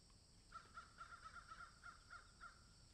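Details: Crows in a garden shared with magpies give a quick run of about ten short, hoarse caws over two seconds. The notes are evenly spaced and fairly faint above a low background rumble.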